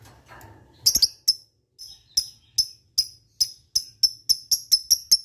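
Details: Lovebird ngetik, calls meant to provoke lazy lovebirds to sing: separate sharp high chips, sparse at first then repeated faster and faster, about four per second by the end.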